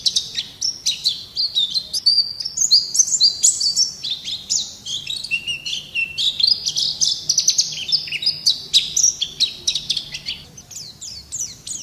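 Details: Continuous, chattering white-eye song in 'gacor' style, used as a master recording for songbirds: a dense run of high twittering notes, slurred whistles and rapid clicks that barely pauses for twelve seconds.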